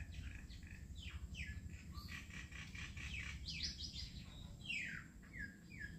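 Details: Plaintive cuckoo (Cacomantis merulinus) in Assam gives repeated whistled notes that slur downward, in quick runs, over a steady low rumble of background noise.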